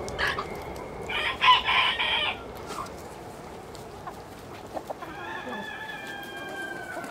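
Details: Village chickens: harsh, squawky clucking bursts in the first two seconds, then a long, level, nasal drawn-out call near the end over faint farmyard background.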